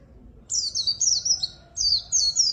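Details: White-eye in full song for luring and tutoring quiet birds: two bursts of very high, squeaky, tumbling twitters, each under a second long.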